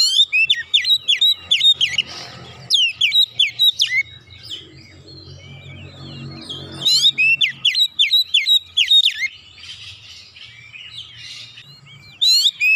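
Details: Oriental magpie-robin song with varied mimicry-like content: rapid runs of sharp, downslurred whistles and chirps in repeated bursts, separated by quieter rustling gaps.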